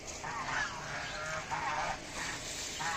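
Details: Local-breed domestic goose (raj hash) giving a run of nasal, harmonic honks, roughly two per second with short gaps, over a steady background hiss.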